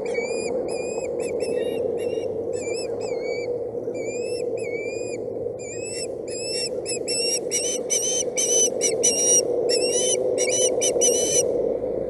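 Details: Nest-cam osprey chick in Boulder County, 8/7/17, protesting a stick delivered instead of fish, gives bouts of high, squealing whistles, often rising then falling, speeding into dense runs near the end, with a steady hum behind.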